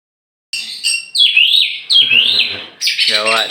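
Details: Tame champion oriental magpie-robin from Meulaboh, Aceh, let loose before being hung in its cage: loud whistled song of sweeping, down-slurred notes, clear and high, ending in a rough, buzzy, harmonic-rich phrase.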